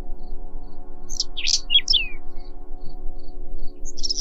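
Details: Whinchat song, which comes in short phrases separated by pauses. Here a single brief burst of high, scratchy chirps and sharp whistled notes lasts about a second, then falls silent. A steady low droning hum continues throughout.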